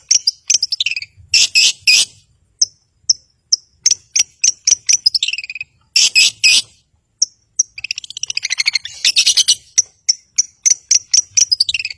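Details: Energetic long-tailed shrike song, used to provoke rivals and silent birds: long run of sharp high chips broken by loud harsh rasping bursts, descending whistled slurs and a dense chattering passage.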